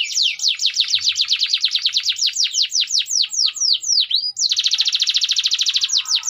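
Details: Canary of the AF type in lively gerek song: long runs of fast descending whistled notes that slow into drawn-out slurs, then break into a tight, rapid, buzzy trill.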